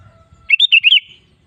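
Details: Bubbly five-note warble of a sooty-headed bulbul, each note looping up and down within half a second, from a recording used to lure caged bulbuls into song; faint low hum before and after.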